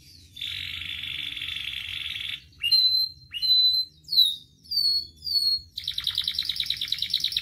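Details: Canary song meant to train and provoke canaries to sing: a long, even, buzzing roll, then a series of loud falling whistled sweeps about once per second, ending in a fast rattling trill.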